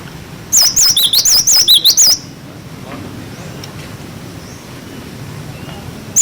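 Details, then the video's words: Cinereous tit giving its wucit wucit song as a tutor for young birds: a brisk run of clear, wobbling whistles lasting under two seconds, followed by a long quiet stretch and one final note. "Masteran glatik batu wucit wucit"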